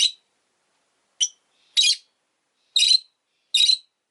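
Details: Two rosy-faced lovebirds, pet birds huddled together at an entrance, give harsh, buzzy, shrill chirps in short bursts, five notes spaced irregularly over four seconds, with silence between calls.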